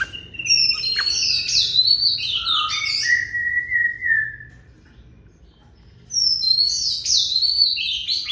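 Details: Oriental magpie-robin delivering a long song phrase of varied whistles and a lower drawn-out whistle, a quiet gap of about two seconds, then another burst of bright high notes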